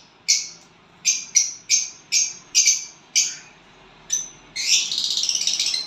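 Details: Violet bird sounds on finding a partner: seven sharp, scratchy chirps at uneven intervals, then a longer rattling, fluttering buzz of rapid pulses at the end.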